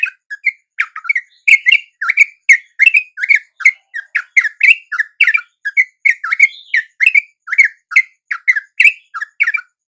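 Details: Sooty-headed bulbul song at dawn, from a lure meant to draw wild birds into answering: short liquid whistled notes, rising and falling, repeated rapidly about three times a second in a steady bubbling sequence against a quiet background.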